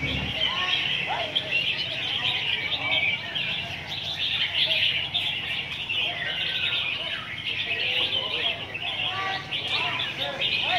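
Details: Many red-whiskered bulbuls at a singing contest ground in Soi 7, Hat Yai, Songkhla, Thailand, produce a thick, unbroken chorus of bright chirps. Occasional warbled phrases stand out, with murmuring people faint underneath.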